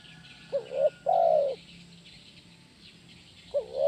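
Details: A spotted dove gives its "kuk 1" gacor cooing, played to train other doves. One complete phrase of two short notes and a drawn-out coo, then a pause before the next phrase begins.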